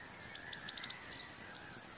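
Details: A singing Corn Bunting gives spaced ticks that quicken, then burst into a shrill, glassy, jingling trill that runs to the end.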